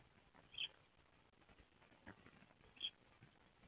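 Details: Eurasian tree sparrows, a pair on a nest box roof in February, calling to each other in a springlike mood; two short bright chirps about two seconds apart over a faint background hiss.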